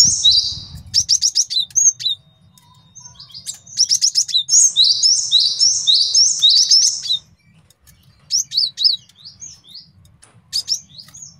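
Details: High whistled two-note phrases from a male cinereous tit, repeated rapidly in long runs, with scattered sharp chips and brief gaps. The recording serves as a master song for training birds and for luring wild ones.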